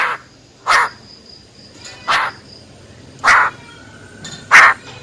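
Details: Female Silver-eared Laughingthrush in wild-type voice, five loud rough bursts spaced about a second apart, with a thin faint whistle between them.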